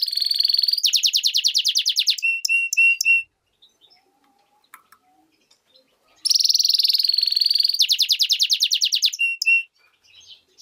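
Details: Two bursts of song from a European goldfinch × canary hybrid: high rattling trills shifting into rapid clipped notes and short clear whistles, separated by a few seconds of near silence.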